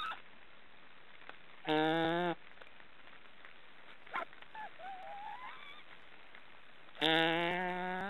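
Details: Snoring sounds from three young black storks in their nest in an Estonian forest: two short rich, nasal, harmonic bursts about five seconds apart, a faint thin rising whistle and a few soft clicks in the quiet gap between.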